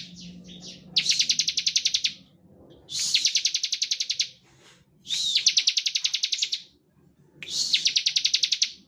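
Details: Ciblek, the bar-winged prinia, singing a standard ngebren song meant to stir other prinias into singing: four long trains of fast, dry, ticking high pulses, each lasting about a second and a half, with pauses of roughly a second between trains.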